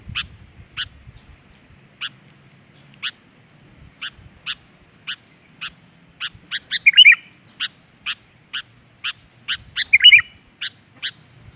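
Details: Sooty-headed bulbul lure sound for training untrained caged birds to sing: a long series of sharp, evenly spaced clicks, broken twice by brief warbled, bubbling phrases.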